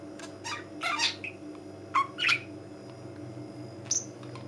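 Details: Pet budgerigar, tame and lively, indoors: scattered bursts of scratchy chatter and a few sharp chirps separated by pauses, over a constant low hum.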